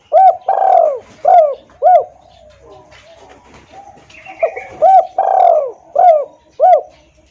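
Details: Loud, clear spotted dove lure call meant to make wild doves reply: rapid series of rounded coos with a longer drawn note, a pause of faint rustling, then the same cooing phrase again.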